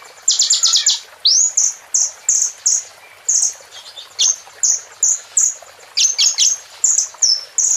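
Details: Plain prinia song from a training recording filled with bar-winged prinia phrases: a dense run of short high chirps and rising whistled sweeps, a brief buzzy trill at the start, repeated steadily throughout.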